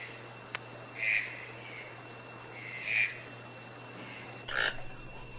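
A toucan gives three short, hoarse, croaking calls spaced roughly two seconds apart over a faint steady hum.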